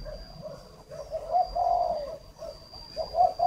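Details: Spotted dove used as a decoy for luring, Ba Vì, Hanoi, Vietnam: muffled, distant-sounding low coos repeated in a slow rolling series, with a longer drawn-out note in the middle and faint background hiss and high hum.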